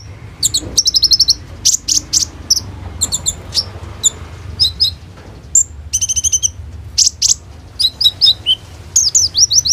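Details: Hummingbird singing as a lure for other caged birds, phone recording: scattered clusters of very high sharp chirps and brief rapid trills separated by short gaps, low background rumble throughout.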